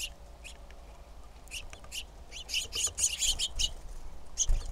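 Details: Female red-shafted Northern flicker calling: scattered high, clipped notes that build into a denser cluster of sharp chips near the end, over a low rumble.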